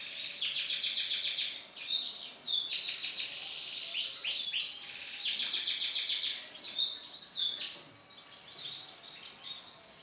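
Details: Lemon-coloured male canary in loud, sustained song: dense, high rolling trills and rapid buzzy note series, switching between pitches in bursts of a second or two, with scarcely any pause over ten seconds.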